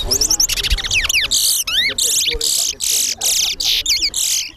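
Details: Caged towa towa singing in a bird race at the Lamaha & Vlissengen Road bird ground in Guyana, where its songs are counted; loud, rapid run of sweeping whistled notes and buzzy bursts, repeated in quick phrases, with faint music and voices behind.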